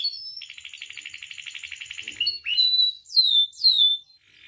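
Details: Canary song used as a tutor and provocation recording to set other canaries singing: a fast rattling roll, then clear whistled notes and high, downward-sliding sweeps repeated about twice per second.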